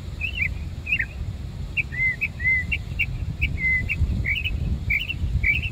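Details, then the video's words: Songbird in Savannah delivering short whistled phrases of mid-high chirps and smooth arched whistles, spaced at roughly half-second intervals, with a steady low rumble of background noise throughout. "bird song in Savannah"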